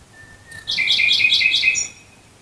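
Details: A common nightingale singing near Dresden, Germany, opens with a thin, soft drawn whistle, then bursts into five rapid, loud repeated notes, each a rich, chattering chirp, in a quiet setting.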